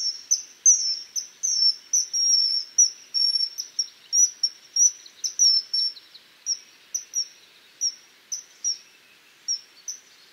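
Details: Common kingfisher uttering a rapid run of shrill, high, whistled peeps, many short notes tumbling close together, then spacing out toward the end; steady quiet background.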